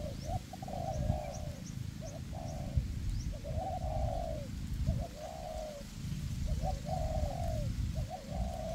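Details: Spotted dove decoy birds calling in forest, a perch decoy and a ground decoy lure wild doves toward a trap. A steady series of soft, trilled coos comes roughly once a second over heavy low wind-like rumble.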